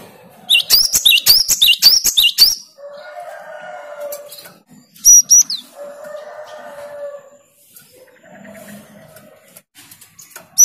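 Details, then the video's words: Great tit responding to a singing lure bird: a fast run of rising whistled phrases with sharp high accents, then softer low buzzy sounds, a brief high double note and another short burst at the end. "Gelatik batu malas bunyi langsung nyaut dengan pancingan gelatik gacor ini"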